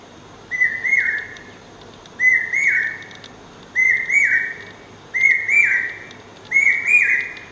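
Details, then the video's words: Common hawk-cuckoo, also called brain fever bird or akka kuyil, singing incessantly: a loud whistled phrase of rising notes, repeated about every one and a half seconds, five times, over steady background hiss. "Common Hawk Cuckoo | Brain fever bird | Akka kuyil | Common Hawk Cuckoo's call | Incessant singing"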